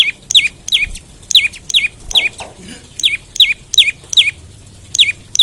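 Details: An olive-backed tailorbird calling in the morning, used to encourage other tailorbirds to sing: a loud, regular string of sharp, descending notes, roughly two and a half per second.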